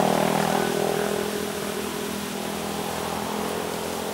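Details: Droning engine, like a propeller aircraft or vehicle, that fades slightly after the first second, with no animal calls.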